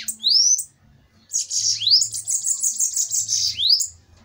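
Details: Bananaquits in a heated fighting duel: high, dense buzzy trills with sharp rising whistled slurs, in short bursts separated by brief pauses.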